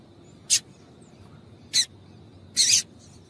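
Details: A calling female yellow-bellied seedeater meant to stimulate males: two short sharp high chirps a little over a second apart, followed by a longer, rougher, buzzy note.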